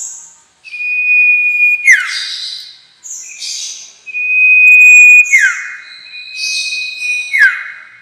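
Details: Sirtu lure recording for trapping birds: a steady high whistled tone runs throughout, broken by sharp descending sweeps and buzzy, hissing bursts of high notes, with short chirps every couple of seconds.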